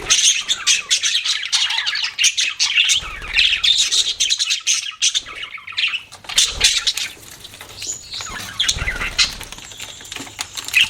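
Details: Pet budgerigars chirping: dense, continuous high warbling chatter with rapid squeaky notes and clicks, some louder bursts, several birds overlapping, faint low hum beneath.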